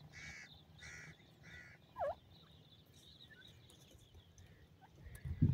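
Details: Pheasant chicks in a forest calling: three harsh, buzzy squawks about a second apart, then a single sliding note and faint high peeps, over a low rumble of background noise; common pheasant.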